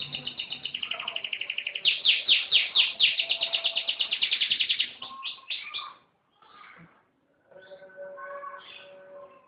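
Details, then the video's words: Canary in vigorous gacor song, a fast even roll of repeated bright notes lasting about five seconds, then softer, lower scattered notes after short gaps. "Kicau Burung Kenari Gacor"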